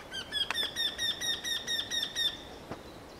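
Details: Eurasian wryneck giving a loud run of about ten nasal, ringing 'kee' notes in two seconds, each slightly rising, delivered steadily before stopping abruptly; faint natural background.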